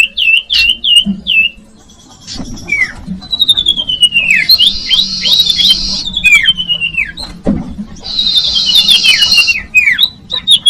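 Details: Common iora song used to lure young birds: sharp downslurred whistles, then long buzzy trills interleaved with falling whistled notes, with scattered clicks and a faint low hum.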